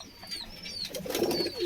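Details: Caged pigeons in a short recording: a low, soft cooing burst rises in the second half, with thin, high whistled chirps from other birds drifting above and a faint room-like background.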